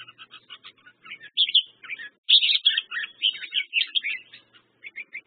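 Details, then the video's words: Red-whiskered bulbul singing: bright, bubbly chirped phrases, short warbled notes in quick irregular bursts, louder in the middle and fading toward the end, with no other clear sounds. "red whiskered bulbul/ merbah jambul"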